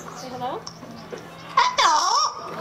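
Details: Fernando, a male yellow-naped Amazon at African Lion Safari, May 17, 2009, says a loud, throaty "hello" in greeting after a person's prompt.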